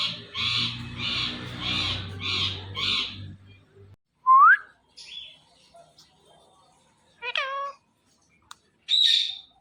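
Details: Indian ringneck parakeet in natural voice: five harsh screeches over a low background hum, then quiet, a sharp rising whistle, a nasal squawk and a final high shriek.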